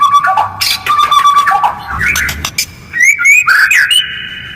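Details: Harsh, rapid white-rumped shama lure meant to get other birds answering; low wavering whistles and quick chatter give way to high chips and a rising whistled flourish ending in a steady held note.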